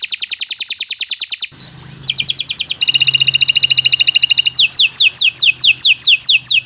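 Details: Kenari Nusantara canary in long continuous song used for training other birds: rapid dense rolling trills, a brief twittering break, more even trilling phrases, then fast descending slurred notes repeated steadily; faint low hum underneath.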